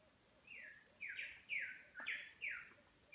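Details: Bird song in a roadside broadleaf tropical rainforest on Babeldaob, Palau: a run of five slurred, descending whistled notes, roughly two per second, over a steady high insect-like whine and faint low repeated calls.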